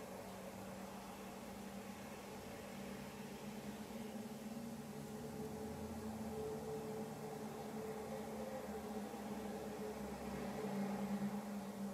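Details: A steady mechanical hum with a droning low tone and broad hiss, with no animal voices.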